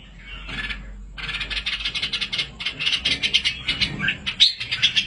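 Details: Red-whiskered bulbul chicks in an aviary give rapid, harsh, high-pitched chattering notes, several per second, in a nearly continuous rasping stream after a brief pause.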